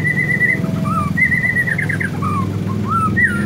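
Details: Canary-imitating song of a male white-rumped shama: steady whistled notes broken by quick warbled slurs and short descending whistles, heard over a constant low droning hum.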